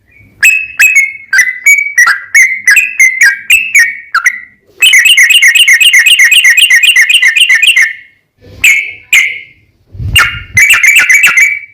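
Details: Sooty-headed bulbul performing long 'ropel panjang' rapid song, used as a lure to draw replies. Whistled chirps, then a sustained, fast, even trill lasting about three seconds, followed by scattered notes and a final bright flurry.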